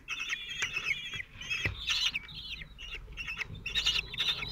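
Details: At the Théding nest in France, 27 June 2023, four Common Kestrel chicks aged 17 days, fed by the male and calm. Overlapping shrill squeals and chitters form a continuous, busy chorus, with a thud near the middle.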